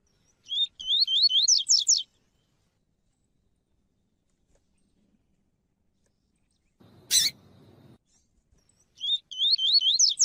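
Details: Double-collared seedeater, tuí-tuí style pure song with a female calling, used to warm up a cold male: two bursts of rapid high whistled notes sweeping upward, rising and quickening, separated by silence and one sharp knock.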